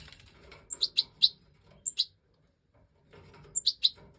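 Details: European goldfinch, Major type, recorded in the 2024 breeding season, giving runs of sharp, high tinkling chirps in groups of two to four. A short quiet gap separates the groups, with light rustling beneath.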